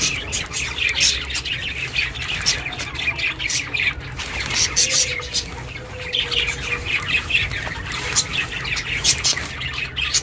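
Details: Chattering of a pet budgie kept indoors, meant for lonely budgies to hear: rapid scratchy chirps and clicks run on without pause, with one brief soft whistle midway and a constant low background hum.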